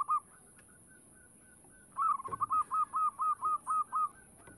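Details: Local zebra dove song used to lure other doves: a faint early coo, then a clear series of about nine evenly spaced, hooked cooing notes over a soft background hiss.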